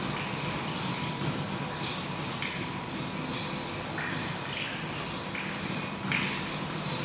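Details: Black redstart nest in Portugal, recorded daily until the young fledge: a busy stream of thin, very high, down-slurred notes, about two per second, often overlapping, with soft lower rustling.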